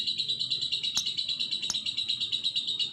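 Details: Lovebird in steady song, a continuous shrill chatter of quick pulsed notes, roughly three per second, with two sharp clicks partway through.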